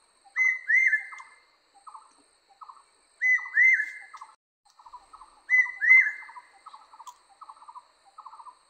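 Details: Barbet song: three loud phrases about every 2.5 seconds, each a rising-falling whistled note followed by a run of short, rapid, lower purring notes that trail off, with soft chirps between phrases.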